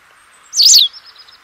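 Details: White Wagtail (Motacilla alba) singing: one brief, high twittering phrase that rises and then slurs down, against a faint steady background hiss.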